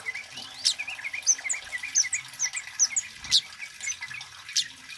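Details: Male Scarlet-headed Flowerpecker singing loudly and persistently, used as a lure and tutor recording for birds; thin, high-pitched chips and short upslurred notes tumble rapidly, with sharper accented notes near one, two, and three seconds.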